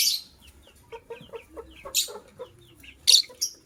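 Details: Pair of white lovebirds chirping in the morning, loud shrill rasping bursts at start, middle and end, with a run of soft short twittering notes between them.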